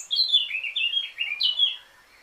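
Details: Loud, pure warbled whistling from a Eurasian blackcap, several descending flutey notes run together, then a final bright phrase before silence.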